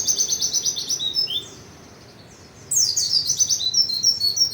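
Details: White-eye in vigorous song: a fast run of high, thin chirping notes, then a short pause before another bright, twittering burst of rapid notes.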